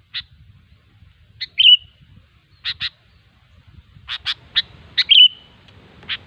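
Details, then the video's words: Sooty-headed bulbul in the wild: sharp clipped notes, often in pairs, mixed with two short liquid warbled phrases ending in a drawn-out whistle, over a faint low rumble. "suara burung kutilang ASLI ALAM LIAR"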